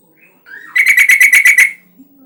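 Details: Yellow-vented bulbul in full voice, used to trigger other bulbuls to sing: a brief rising lead-in note flows into a fast, bubbly chatter of about eight chirps lasting a second.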